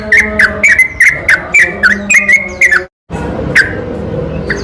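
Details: Night-time yellow-vented bulbul song used as a lure to stir other bulbuls to sing: rhythmic burst of clipped, bouncy chirps repeated several times a second, then a sudden break and a few isolated notes over faint background hum.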